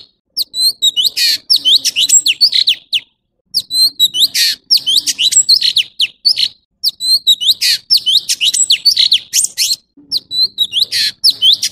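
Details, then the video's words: Orange-bellied leafbird singing a fast stream of short, clear whistled notes, many sliding up or down, mixed with harsh buzzy bursts, in phrases of two to three seconds broken by brief pauses. "Tiếng chim thanh tước trung quốc/Chim xanh vàng✅Orange-bellied leafbird ✅นกเขียวก้านตองท้องสีส้ม"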